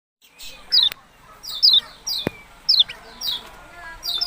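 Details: Yellow-bellied prinia calling: high, sharp downslurred notes repeated about every half to one second, with a single sharp click near the middle and faint twittering behind.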